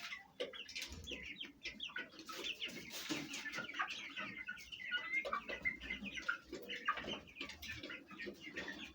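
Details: Home flock of Fayumi chickens, hens and chicks feeding and squabbling; dense chatter of short hen clucks under a constant stream of shrill, descending chick cheeps, with scattered clicks and rustling.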